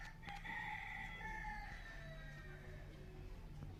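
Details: Spotted F2 junglefowl, described as singing very beautifully, gives one long drawn-out crow of about two and a half seconds, rich in harmonics and gently falling at the end, over a steady low mechanical hum with a brief click.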